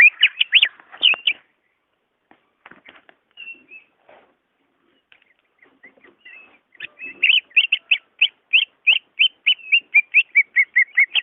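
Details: Greater green leafbird song for prompting an idle caged bird: a brief burst of loud whistles, a quiet middle with faint notes, then a long run of evenly repeated bright whistled notes about three per second.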